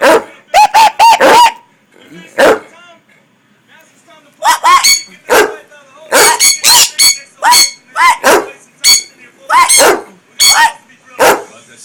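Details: Pet sun conures give harsh, grating screeches in quick bursts, with a green-cheeked conure chattering among them.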